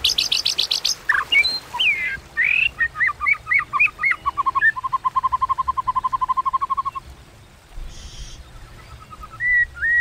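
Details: White-rumped shama contest song in the 'kéo thuốc lào' style: harsh clicks and looping whistles lead into a long, even, mid-pitched rattling trill lasting a few seconds, then a brief pause and slurred whistles.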